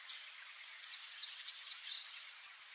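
Rufous-bellied thrush nestlings beg with thin, very high, downslurred squeaks, about seven in under three seconds, over a faint background hiss.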